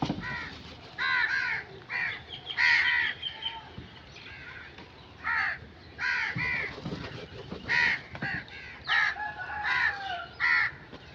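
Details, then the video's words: Crow calling with repeated rough, nasal caws in clusters of two or three, spaced about a second apart, over a quiet outdoor background. "Crow sound effects"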